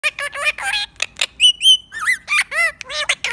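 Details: Ringneck parrot talking: a rapid run of short harmonic squawks and chattering syllables, then clear whistled notes with sharp upward and downward sweeps. Bursts come about four times a second.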